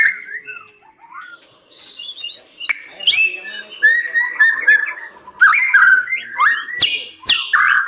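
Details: White-rumped shama kept in captive breeding, singing a loud, varied song of rich whistles, slurred rising and falling notes and sharp chattering phrases, with occasional clicks and knocks nearby.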